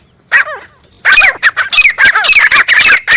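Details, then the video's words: Grey francolin: a few descending, croaking notes, then a dense, continuous stream of loud, harsh, repeated calls that runs on without a break. "Best teetar sound effect crisp clear and realist"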